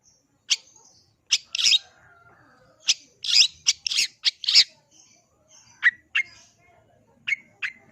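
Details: Long-tailed shrike, known locally as cendet or pentet, in active singing form: scattered sharp, high chirps and harsh buzzy bursts, some in quick clusters, separated by short pauses.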